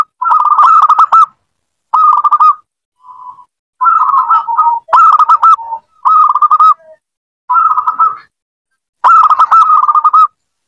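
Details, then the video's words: Zebra dove song played to encourage a silent dove: phrases of fast, throaty cooing notes about a second long, repeated every second or so, with a few quieter, lower notes between them. "PANCINGAN BUAT PERKUTUT MALAS BUNYI"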